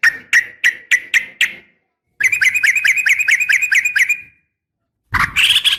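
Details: Yellow-vented bulbul female calling a male with a fighting call: six separate sharp chirps, then a fast even run of chirps, then a brief loud burst after silence.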